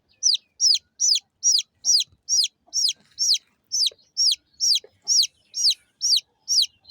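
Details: Small chicken chicks chirp continuously: some sixteen loud, high peeps, each dropping sharply in pitch, evenly spaced about every half second in a quiet setting.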